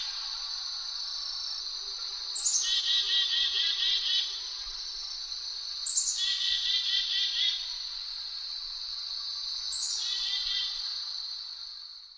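A black-capped chickadee gives three phrases about four seconds apart, each a sharp high note dropping into a run of husky, buzzy dee notes, over a steady high hiss.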